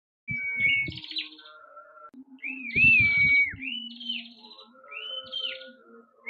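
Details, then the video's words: Prinia singing actively: clear whistled notes, some held flat and others rising and falling, with buzzy upper tones, over low rattling thumps. "Prenjak Kepala Merah Gacor Dor"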